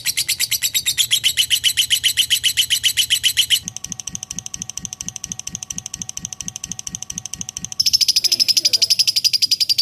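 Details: Lovebird in long ngekek chatter: bursts of rapid, high, shrill pulses. They are broken mid-way by a lower, softer rhythmic pulsing with steady tones, then the chatter returns even higher.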